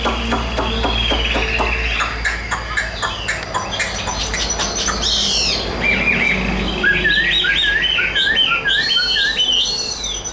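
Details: Tame caged Chinese hwamei, carried by hand, singing loudly: after a run of dry clicks and chips, a string of clear, rapidly modulated whistled notes rising and falling, quickening into looping phrases near the end, over steady background hum.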